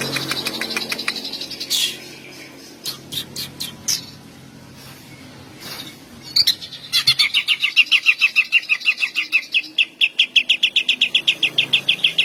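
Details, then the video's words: Greater green leafbird, a hyperactive singing male, in long bursts meant to provoke rival males and arouse mating urge: varied chirps and sharp notes, then a fast run of rapid repeated whistled notes. "Burung cucak ijo gacor ❗❗ tembakan panjang pancing birahi dan emosi cucak ijo lain"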